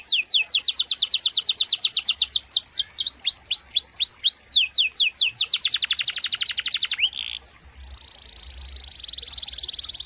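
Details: Long varied canary song used to tutor other cage birds: repeated sweeping whistles, then a dense fast trill, ending in a sustained buzzy tone.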